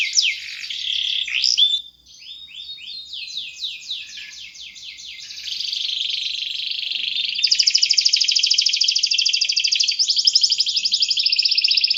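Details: Canary delivering a long song meant as a lure for young birds: chattering swoops, a brief pause, then sweeping notes building into a loud, buzzy, very rapid trill that holds for the last four seconds.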